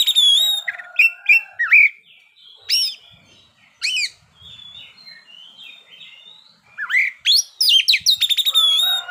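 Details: Oriental magpie-robin (kacer) singing in 'ngeplay' style at midday, used as a lure to stir other birds: a fast, varied run of bright whistled notes, sharp rising slurs and rapid ticking trills, with brief pauses between phrases.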